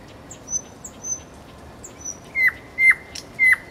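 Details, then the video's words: Common nightingale by a road: thin, drawn-out high whistles, followed by three loud, sharply descending notes spaced about half a second apart. "соловей у дороги Luscinia megarhynchos"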